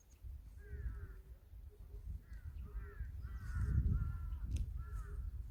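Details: Birds calling in mountains 700 m above sea level at Jeongseon, Gangwon-do, Korea: a series of harsh, buzzy calls repeated in quick bursts, with a short soft low note between them and low rumbling noise behind.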